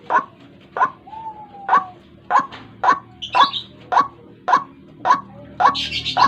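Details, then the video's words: Morning trapping lure of a White-breasted waterhen: rough, clipped croaks following each other at an even pace of nearly two per second, plus a thin whistle and a higher chatter from other birds. "Suara pikat burung ruak ruak"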